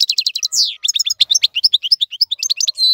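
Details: Song of a European goldfinch meant for young birds to learn from: a fast, unbroken string of liquid high chirps, slurred notes and brief nasal buzzes.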